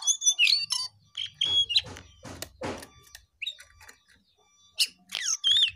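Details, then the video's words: Jongkangan singing vigorously: high whistled and twisting chirps, some sliding sharply up or down, broken by loud clicking bursts and a low hum. "Jongkangan GACOR"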